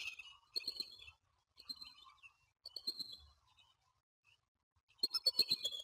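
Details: Bald eagles at Standley Lake, Colorado, on 21 April 2020 at 07:06, the male making a first move on a new female: bursts of high, thin chittering notes in several separated runs, the last burst loudest and busiest.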